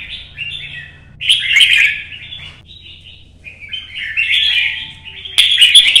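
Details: Red-whiskered bulbul singing solo in early sunlight, perch-hopping competition song to rouse rival birds: lively slurred warbles broken by loud clicking bursts at start and end, with a faint whistle in between and steady low hum.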